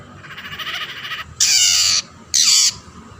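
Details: Long-tailed shrike, played to draw other shrikes into calling: a softer rasping phrase, then two loud, harsh, grating squawks, each under a second long, over quiet background hum.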